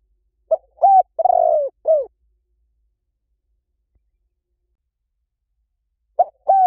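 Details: Lure recording of a spotted dove for calling in wild doves: one full phrase of short and long husky coos, the longest rough and sustained and the last falling. A pause of about four seconds follows before the next phrase starts.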